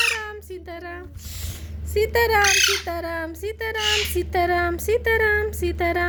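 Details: Baby parrot, said to be a talking bird, alternating harsh, noisy squawks with clipped, tonal, voice-like calls in quick succession, with a person's voice and a constant low hum in the background.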